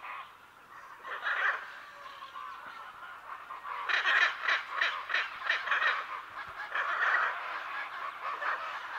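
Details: Pair of hyacinth macaws calling at medium-close to medium distance in the Pantanal: harsh, raucous squawks with a quick run of grating calls about three per second midway, other parrots and birds faintly behind.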